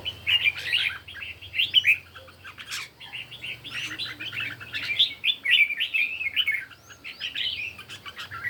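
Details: Red-whiskered bulbul singing in a morning contest, a steady stream of lively warbled, bubbling phrases and quick chirps, almost continuous, over a soft low hum.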